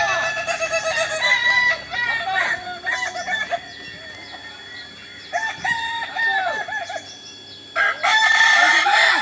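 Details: Kokok Balenggek roosters train together in Ampang Kualo, Kota Solok, West Sumatra. Bursts of multi-syllable staircase crows come and go in waves, with quieter gaps between rounds of overlapping birds.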